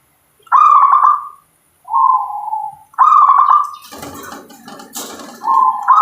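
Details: Local zebra dove giving loud, vibrating staccato coos alternating with softer, lower, drawn-out purring notes; a burst of clattering and rustling noise interrupts midway.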